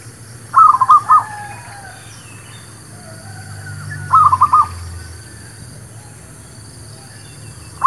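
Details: ['Zebra dove song played as a lure for catching birds: rapid four-note cooing phrases, repeated roughly every 3.5 seconds, with the start of a third at the end and soft distant chirping between.']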